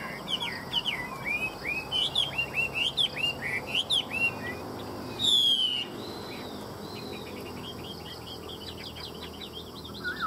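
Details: Chinese hwamei song: rapid chains of short, looping whistled notes in rhythmic bursts, then one loud drawn-out whistle, followed by quieter trilled and slurred phrases against faint background noise.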